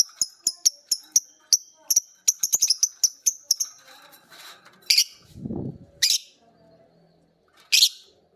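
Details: Lovebirds of the biola green and PB Piet types learning ngekek from each other and a master recording. A brisk series of high clipped chirps is followed by a dull low thump, then a few widely spaced harsh squawks.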